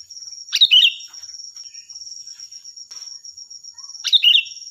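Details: Sooty-headed bulbul in active song, recorded as a master for training other birds: two brisk bubbly phrases roughly three and a half seconds apart, with faint soft chirps and a persistent high electronic-like tone behind.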